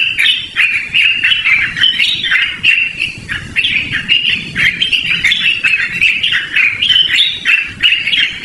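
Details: Loud, ringing song of a yellow-vented bulbul, suitable for luring or as a master song for training birds. Rapid warbled notes tumble on continuously, about three per second, rising and falling with no break.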